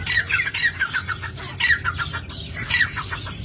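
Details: Partridge (dhakni tetar) calling: harsh, squawking notes in rapid bursts, each a cluster of short descending chirps, with brief pauses between bursts, over a steady low hum.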